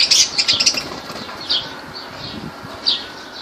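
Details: Lovebirds in Laylan, Kirkuk, Iraq: a quick cluster of piercing chirps at the start, then a few spaced, downslurred squeaks as the calling thins out.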